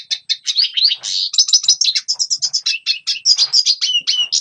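A red siskin sings a fast, continuous twittering song of high buzzy trills and slurred whistled notes, with quick chirps packed several per second.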